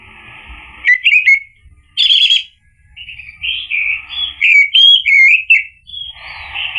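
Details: Orange-headed thrush singing as a lure to draw a silent male into reply: varied clear whistled phrases, slurred and warbled, broken by short pauses, with a few sharp high notes and a faint lower hum behind.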